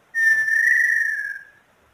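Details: Small-billed tinamou, known locally as inhambu sururina or inhambu pé-roxo, in Brazil: one long, clear, pure whistle that holds a steady pitch, fades slightly lower and lasts about one and a half seconds against a quiet background.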